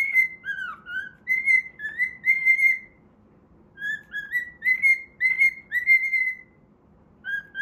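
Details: A pet cockatiel whistles a melody from the Pitagora Switch opening theme during play, with phrases of bright slurred notes, some dipping then rising, split by a pause of about a second before the tune resumes.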